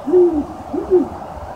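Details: A great horned owl, perched above a farm silo and possibly hunting rabbits, gives deep, soft hoots, described as a mating call: one longer hoot, then two shorter ones close together, over faint hiss.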